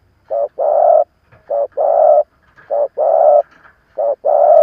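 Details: Old decoy spotted dove cooing to call in and provoke rival doves: steady repeated pairs of a short hoot followed by a long rolling coo, about one pair per second, loud and clean with no other sounds.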